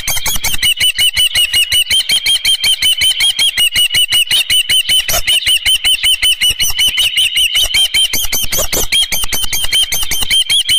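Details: Osprey at a ranch nest with a live fish, 24 June 2018, 7:32 AM: a fast, unbroken run of high whistled chirps, about two and a half per second, with sharp broadband ticking throughout.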